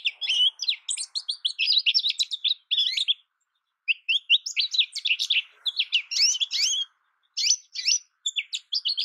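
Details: American goldfinch singing long, busy bursts of high sweet twitters and chirps, with two short silences breaking the song.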